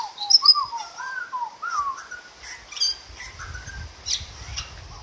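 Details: Butcherbird singing at a kitchen window: mellow, fluting whistled phrases that slide up and down, mixed with brief high chirps and sharp notes, while a person also whistles nearby; soft low rumbling toward the end.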